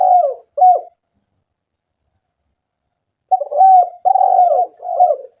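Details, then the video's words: Spotted dove cooing, played as a lure to get other doves calling: low, soft coos in short groups, two notes, a long silence, then a run of three or four mellow, slightly rolling coos. "Pancingan suara burung tekukur gacor"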